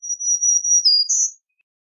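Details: A black-throated green warbler gives a high, fine, buzzy song: a long steady wheezy note, a brief lower slur, then a brighter, higher final buzz. No other sounds.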